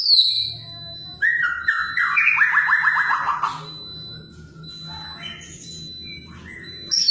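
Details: White-rumped shama in active song: a high whistle, then a fast rattling series of falling notes lasting about two seconds, then softer scattered phrases and a final high note.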